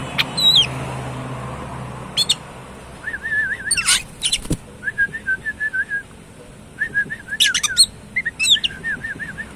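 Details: Oriental magpie-robin (kacer), described as lively and in full voice, singing: repeated wavering, warbled phrases at mid pitch broken by sharp, high, whip-like notes and brief clicks, with gaps between bursts and a low hum early on.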